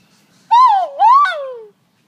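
A peahen gives a single loud, nasal two-part wail: a rising-falling note, a brief dip, then a second note that climbs and slides down. No other sounds.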